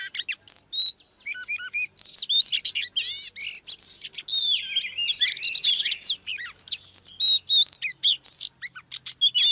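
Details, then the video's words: Female Oriental magpie-robin used to stir a male to sing: energetic stream of upslurred whistles, twittering trills and scratchy notes, rich and almost unbroken throughout. "TRỰC TIẾP chòe than mái KÉO TRỐNG LÊN ĐIỆN"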